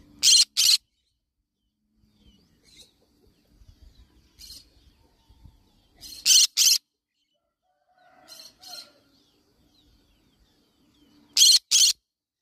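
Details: A green-cheeked conure of the yellow-sided colour form gives harsh, scratchy screeches in quick pairs every few seconds, with softer chatter between them and faint household rustling.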